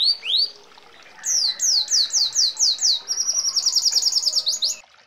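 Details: Red siskin rolling song with canary-like fills: two upslurred whistles, a short gap, then a row of six sharp falling notes, followed by a very fast, even, high buzzy trill.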